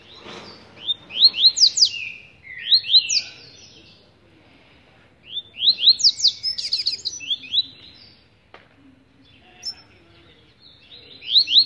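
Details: A caged Rusty-collared seedeater, its cage held in the hand, sings bursts of fast, sweeping high notes and twitters, phrases every few seconds with short pauses between.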